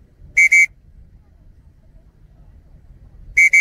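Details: Changeable hawk-eagle, dark morph, during falconry training, giving paired sharp high whistled notes, two quick notes, a pause of about three seconds, then another pair, over faint low background noise.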